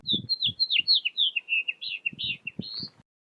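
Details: House finch (Haemorhous mexicanus) song: a fast, jumbled, melodious warble of high, sweet notes lasting about three seconds, ending in a high, rising, upslurred note, with faint low thumps underneath.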